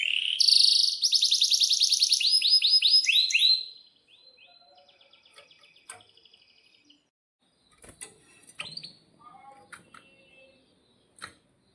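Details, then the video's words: Canary song, used as a lure to make caged canaries sing: dense, loud high trills and rapid rolling phrases for about three and a half seconds, then faint scattered chirps and clicks in near silence. "suara kenari gacor panjang AMPUH,, PANCINGAN KENARI AGAR BUNYI JADIKAN BURUNG KENARI GACOR Seketika"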